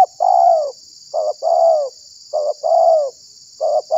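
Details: Spotted dove calling as a lure to attract and provoke wild doves: short coo notes each followed by a longer, slightly falling coo, in quick paired phrases over about four seconds, with a steady high hiss throughout.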